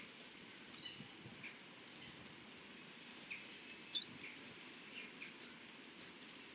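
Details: Hawfinch delivering short bursts of high, thin chirps and clicks, grouped in little clusters with gaps of about a second, in a quiet setting.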